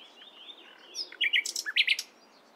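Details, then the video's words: A common nightingale sings in the morning: a few faint sliding whistles, then a rapid one-second burst of about a dozen sharp, high, varied notes, with nothing else heard. "Nightingale Singing In The Morning"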